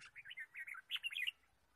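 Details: Red-whiskered bulbul chirping in forest, recorded on a bird-trapping day, 23 March 2017: a rapid string of short, warbling whistled notes with rising and falling slurs for over a second, low rumble beneath.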